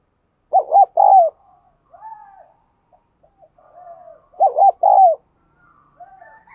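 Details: Decoy spotted dove cooing to draw and arouse males: two bursts of quick paired notes ending in a longer falling coo, with softer low coos between them.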